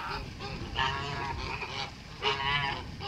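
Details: Pure white male Kholmogory goose from 2014, farm-kept, recorded 7 November 2017: two loud, brassy, wavering honks roughly a second and a half apart over a low background murmur.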